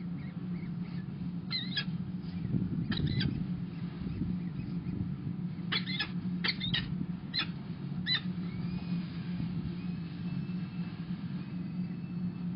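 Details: Female peregrine falcon entering the nest, recorded 29 April 2021: several short harsh calls in quick clusters, some with rising slurred notes, spaced through the recording over a steady low rumble like traffic.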